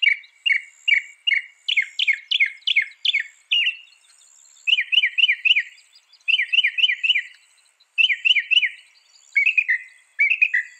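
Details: Northern mockingbird song, a tumbling sequence of sharp chirped notes delivered in quick bursts of three to five, each phrase repeated before the bird switches to a new one, with a thin high tone in the background.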